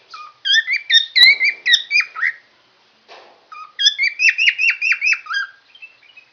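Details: Singing yellow lovebird with head feathers raised, giving two bursts of rapid, squeaky, twittering chirps separated by a short pause. The second burst is a brisk run of similar downward-sweeping notes that fades into softer twitters.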